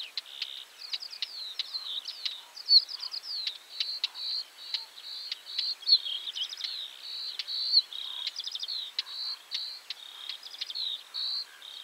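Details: Northern wheatear in Poland, mixing song and calls: short whistled phrases and quick rattling notes broken by hard clicking calls, all high-pitched and fairly distant, over a light background hiss.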